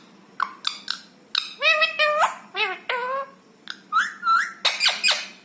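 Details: Indoor rescued rose-ringed parakeet talking: nasal, harmonic word-like phrases, several bending upward, then a brief level whistled tone and a couple of harsher squawky syllables, in a quiet room.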